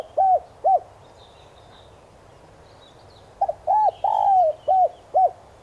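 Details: Spotted dove cooing in the 'son' voice as a lure for wild doves: two short arched coos, a pause of about two and a half seconds, then a quicker run of six coos, one stretched longer, with distant thin chirps.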